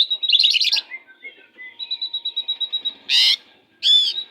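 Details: Oriental magpie-robin, a fierce kacer kept as a tutor bird for less vigorous kacers, singing: a dense buzzy trill, then a series of clear high whistled notes repeated about every tenth of a second, ending in two loud harsh bursts.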